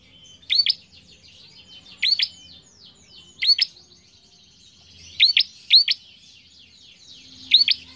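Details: Song of a bar-winged prinia used to train young cage birds: loud sharp paired chirps repeated every one to one and a half seconds, six bursts in all, over a continuous bed of faint high chattering notes.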